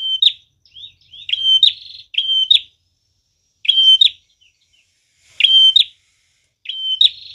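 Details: Prinia song meant as a lure to attract wild birds: level high whistles capped by sharp chips, repeated in bursts with gaps of a second or more, one ending in a buzzy trill.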